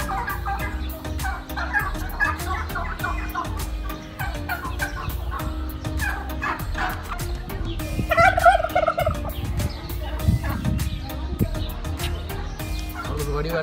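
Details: Turkeys among a flock of over 1000 farm fowl at a partly abandoned resort in Jumailiyah, Qatar, in March, gobble in fast, rattling, bubbling bursts, one loud gobble near the middle; a man talks and a breeze rumbles underneath.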